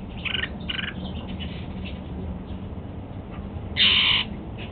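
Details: At breakfast a pet male Golden-fronted Leafbird eats apple: two softer paired notes early, light clicks, then one loud harsh call near the end over low background hum.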